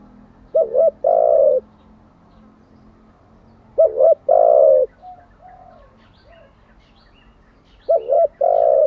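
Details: Spotted dove, recorded to train decoy and wild-caught doves daily, repeating a phrase of two quick notes and a long coo about every three and a half seconds, with softer coos between and a low steady hum.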